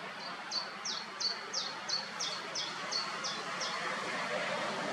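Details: White-tailed eagle family at a nest in Alde Feanen National Park near Koudum, Netherlands, 8 May, three well-grown young; a fast series of about ten thin, high yelping notes, slightly falling, three per second, over wind-like hiss.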